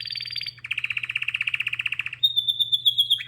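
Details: Canary in full song, delivering a fast, rattling trill of evenly pulsed notes that shifts into a higher, smoother rolling phrase, over a steady low hum.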